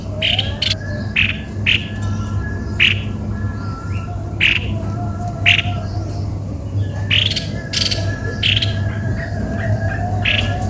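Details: Strange-sounding squawks of a cucak kopi-kopi, harsh clipped notes repeated about twice a second in an uneven series, with a continuous low hum and rumble behind.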